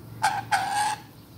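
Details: Chattering lory, a pet bird being given a bath, giving two loud harsh screeching calls, the second drawn out for nearly half a second.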